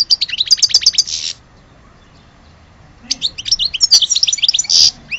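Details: Algerian European goldfinch giving a bright tinkling phrase of quick clipped notes, falling silent for nearly two seconds, then resuming with twittering notes and a buzzy burst.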